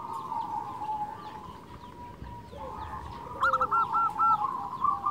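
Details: Lure recording of a local zebra dove: quiet overlapping coos over a hissing background, then a clearer string of four quick hooked notes near the end.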